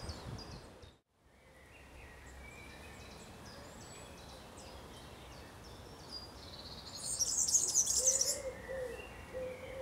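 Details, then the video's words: A European serin in a Berlin graveyard gives its song, a very high, fast, jingling twitter that swells into a dense sizzling burst near the end, over steady background hiss and fainter calls from other birds. "The European Serin (Serinus serinus) song."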